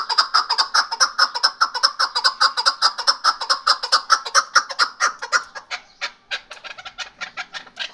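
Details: A hunting chukar partridge gives a rapid train of harsh chuck notes, roughly two to three per second, fading into looser, scattered clucks toward the end.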